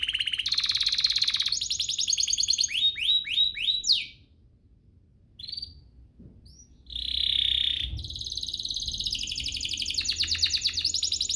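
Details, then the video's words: Canary lure song to provoke other canaries into singing, with a steady high trill, a run of downward swoops, a short pause with soft notes, then a loud rolling trill and fast repeated chips. "Pancingan ini EFEKTIF BANGET, burung kenari lain langsung terpancing untuk GACOR"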